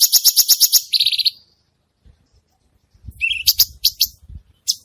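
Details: Actively singing (gacor) cucak cungkok bulbul: a quick series of sharp chips followed by a buzzy burst, silence, then a rising whistle and scattered chattering notes with some low background knocking.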